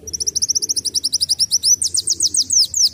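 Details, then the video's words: Sunbird delivering canary-like song, a recording for tutoring young birds; a fast series of bright, high rising notes that turns into broader, slurred sweeping whistles in the second half. "KOLIBRI WULUNG NAMBAK KENARI"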